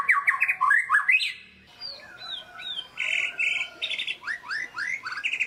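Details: White-rumped shama in full lively song, used as a lure to rouse lazy shamas: rapid rising whistled slurs around mid pitch, then higher clear whistles and sharp chirps, delivered in quick varied bursts with a brief pause midway.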